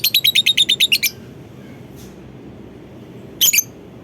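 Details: Calling lovebird meant to set off other lovebirds into their long chattering ngekek: a fast run of about nine shrill, evenly spaced notes within one second, a pause, then a brief harsh double burst.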